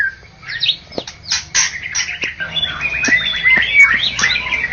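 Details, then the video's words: White-rumped shama, a first-prize winner in a bird-singing contest, of Medan and Java origin, giving rapid scratchy chips and clicks that lead into thin, bright whistled notes, with faint background noise. "Murai batu Medan dan Jawa Juara Satu Pemenang Lomba Bird Copsychus malabaricus Suara Burung"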